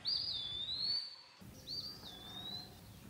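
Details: Loud, clear Eastern wood pewee whistles: a long slurred note sliding downward, a brief pause, then another high note easing down into a lingering, slightly wavering tone; little else audible.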